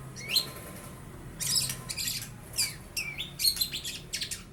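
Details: Young long-tailed shrike, recently changed from spotted juvenile plumage, copying lovebird and house sparrow: a rising squeaky whistle, then scratchy high chirps and screechy bursts spaced irregularly.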